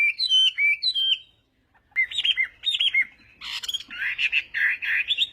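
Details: Chinese hwamei in contest singing during morning voice training: bright whistled slurred phrases rising and falling, a short silence, then faster looping whistles and a burst of harsher, buzzier notes near the end.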